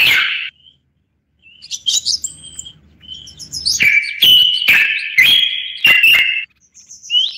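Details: A common bulbul gives a short loud warble, falls silent, offers faint scattered notes, then delivers a string of strong, clear fluty phrases punctuated by clicks before a final rising note.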